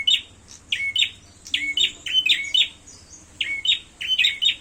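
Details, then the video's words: Fighting call of a prinia: sharp descending chirps grouped in rapid pairs and triplets, bursts coming roughly every second with brief pauses between, against a quiet background hiss. "suara burung prenjak tarung"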